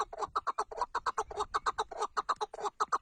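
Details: Chukar partridge calling in a rapid, evenly pulsed series of harsh clucking notes, about seven per second, steady in pitch and loudness throughout.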